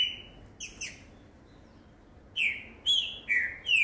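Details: Caged Green-winged saltator, a promising 2019 youngster, gives a few soft clipped notes, then a pause and a run of four strong, rich whistles, rising then dropping, against a quiet indoor background.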